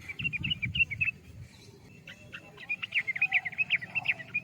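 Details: Yellow-vented bulbul delivering two bursts of quick, liquid chirping notes separated by a brief lull, the second run longer and louder, with low rumbling noise at the start.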